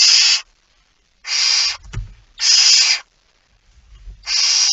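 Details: Barn owl at the nest as food is eaten, 05:28, 19 September 2019: four strong, breathy screeching hisses roughly every 1.4 seconds, with a brief knock and low shuffling between.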